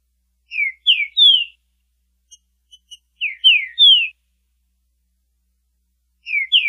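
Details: Song variation of a green-winged saltator, short phrases of three or four slurred, downward whistled notes repeated after pauses, with a few soft ticks between phrases.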